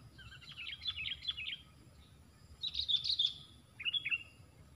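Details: A fighter sooty-headed bulbul facing four rivals: three separate bursts of quick, bubbly, scratchy chatter, the middle one loudest, divided by short silences and a faint low background hum.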